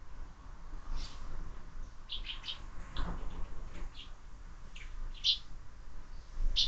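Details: Sparrows at a feeder mounted on a window, fed year-round; short scattered chirps and tweets, some brighter and sharper near the end, over a steady low rumble of background noise.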